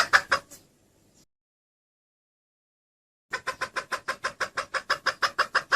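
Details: Female red junglefowl calling, said to draw the male straight to her: a rapid series of short clucking notes, a pause of about two seconds, then another steady run of evenly spaced clucks.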